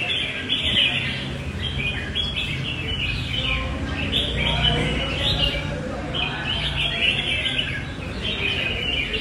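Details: Competing red-whiskered bulbul, said to fan its wings and sing loudly and at length. Short rich warbling phrases repeat in quick succession over continuous low-pitched background noise.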